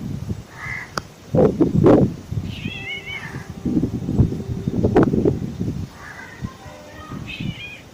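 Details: Black drongo, known locally as kotwal or chowkidar, giving short wavering, slightly buzzy calls in brief bursts near 0.6, 2.7, 6.2 and 7.4 seconds, over steady low rumbling background noise and scattered knocks.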